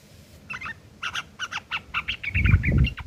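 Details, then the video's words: Rough chattering of a sooty-headed bulbul, the ngeriwik kasar type used to tutor long-tailed shrikes: a fast run of harsh, stacked notes speeding up into a rattle, with a loud low thump near the end. "trucuk ngeriwik kasar isian burung CENDET"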